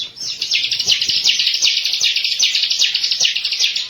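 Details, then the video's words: Bar-winged prinia (ciblek) in a lure recording for training birds. Throughout, a loud, rapid series of sharp, buzzy, high-pitched notes repeats at an even, pulsing pace of roughly two to three notes a second. "MASTER PANCINGAN BURUNG CIBLEK KESAYANGAN"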